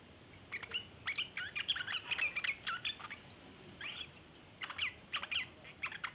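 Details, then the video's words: Sooty-headed bulbul with a long chattering 'ngeriwik' song, intended to attract other bulbuls: a dense run of scratchy, bubbling notes in the first half, a pause, then a few shorter chattered bursts. "burung trucukan ngeriwik panjang cocok buat pancingan trucukan bahan"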